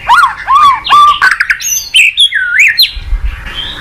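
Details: Murai batu lure song for a reluctant caged shama. Loud arched whistles repeat in quick succession, followed by varied high chirps and slurred notes, with a brief low thump near the end.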